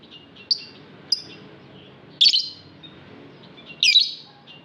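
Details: Lovebirds in an aviary: short sharp chirps followed by two loud harsh squawking screeches about two seconds apart, with faint twittering in between.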